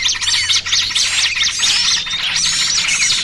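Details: Trapping lure of small birds, trucukan chatter blended with 'pinched' small-bird cries: busy high twittering, quick upslurred squeaks and short whistles packed closely together, with a soft low hum.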